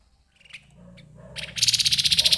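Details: Grey-headed babbler: a few soft, scattered notes build into a loud, fast, rattling trill of evenly repeated pulses at the end.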